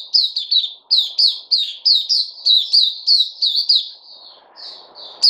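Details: Caged bulbul in song; a fast run of sharp, downslurred chirps, nearly continuous for four seconds, then a brief pause and a fresh burst.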